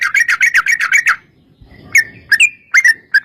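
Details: Sooty-headed bulbul singing to prompt others to answer: a quick series of bright chirps for a second, a pause with low rumble, then spaced whistled notes and short phrases.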